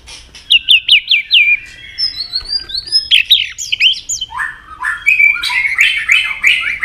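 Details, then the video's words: Competitive white-rumped shama song meant to stir rivals, delivered with continuous clicks and changing voices: a quick run of downslurred whistles, then sliding phrases and rougher, buzzy warbled notes toward the end. "kích lửa cho chòe lửa căng lửa. chòe lửa tạch đập liên tục. sàn cầu kích lửa cực nhạy.đảo giọng tốt"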